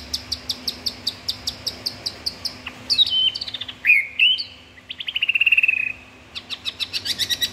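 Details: Caged white-rumped shama, a prized singer, delivering a varied song: a run of rapid sharp ticking notes, then loud rich whistled phrases sliding up and down, ending in another fast series of high clicks.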